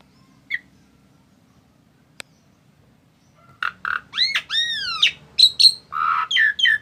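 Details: Very tame Asian pied starling: a near-silent opening with one faint chirp and a click, then from about three and a half seconds a loud run of varied notes, arching harmonic whistles mixed with harsh, noisy chatter and short squeaky bursts.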